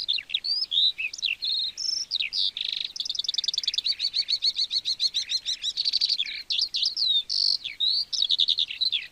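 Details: Lark song used to attract a mate: an unbroken, energetic flow of high twitters and whistled slurs, with fast buzzy rattling trills in the middle, in a clean recording.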